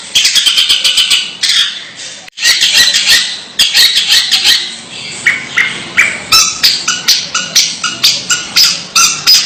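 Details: Strange-sounding Long-tailed shrike: dense rapid chatter of scratchy high notes, a quick stuttering run, then a pause, then further harsh phrases breaking into sharp, evenly spaced clicks toward the end.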